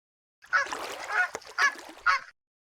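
A flamingo gives a quick run of four harsh, nasal, goose-like honks spread over about two seconds, with no other sounds.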